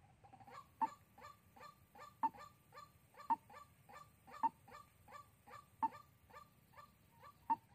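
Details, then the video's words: White-breasted waterhen lure recording for trapping, Soc Trang, Vietnam, 2 February 2021: steady string of nasal croaking notes, with sharp clicks about every second and a half. "Bẫy Quốc Mồi Sóc Trăng"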